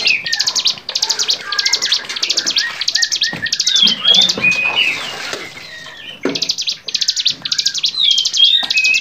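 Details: Songbird training recording of bar-winged prinia song: steady repeated buzzy, high rattling notes, pausing briefly around the middle before resuming. Whistled phrases and chirps of other birds are mixed in.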